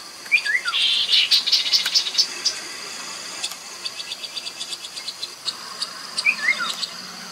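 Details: Chestnut-capped babbler lure recording from the Mekong riverside, Nakhon Phanom, Thailand, 2021: a brief descending whistle leads into a loud buzzy chattering rattle, and a second falling whistle follows near the end, with constant insect hum behind.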